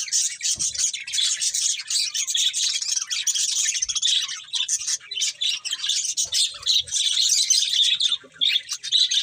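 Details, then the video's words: Budgerigars in dense, unbroken chatter, a rapid stream of high, scratchy warbles and chirps throughout. "Beautiful Budgies Chirping Sounds"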